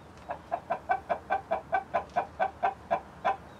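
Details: Chickens from a flock of Light Brahma, Barred Plymouth Rock, White Leghorn and other hens with a Rhode Island Red rooster, uttering a steady, rhythmic run of about thirteen short, even clucks, roughly four per second.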